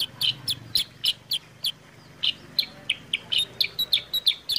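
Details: Bright, clear chirps from a sooty-headed bulbul, meant to coax kept birds into song: a fast opening burst, a short lull, then renewed sharp notes at a lively, uneven pace.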